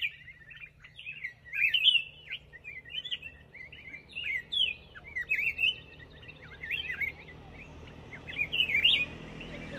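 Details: Lively black-crested bulbul song: a steady stream of varied bubbly, whistled phrases, each under a second, following one another with short gaps for nearly ten seconds.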